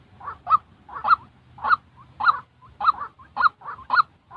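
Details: Real call of a white-breasted waterhen, used to train fresh decoy birds for trapping. Throaty, croaking two-part notes come in a rhythmic series, roughly one every 0.6 seconds, with seven or eight heard and a soft low rumble underneath.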